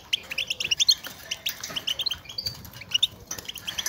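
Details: A European goldfinch chatters in quick, bright, tinkling twitters, several liquid notes a second, high and lively throughout; these are contact calls used in the wild, played to stimulate males to sing and mate.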